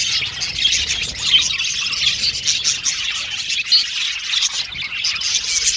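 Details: Aviary colony of male blue and violet budgies chirping together: busy, high-pitched twittering and warbling that never stops, with occasional sharper squeaks rising above the mass of overlapping voices.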